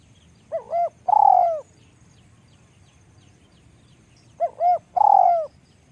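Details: Spotted dove, described as small-voiced, giving two cooing phrases: a short note and an arched coo, then a long, slightly falling, buzzy-edged coo with a rolling start, repeated about four seconds apart over quiet background.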